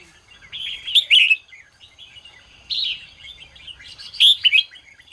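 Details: Red-whiskered bulbul morning song, ché style, intended to excite other birds: three separate bursts of sweet, fluty warbling, each ending in emphatic whistled notes.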